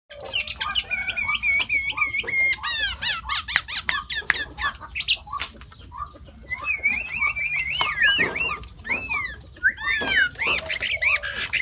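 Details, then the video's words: Sooty-headed bulbul, said to mimic more than five other bird species, giving a busy run of whistled, looping and wavering phrases mixed with sharp clicks and chirps, over a steady low background hum. "เสียงนกปรอดหัวเขม่า นกแทด เลียนเสียงนกได้มากกว่า 5 ชนิด"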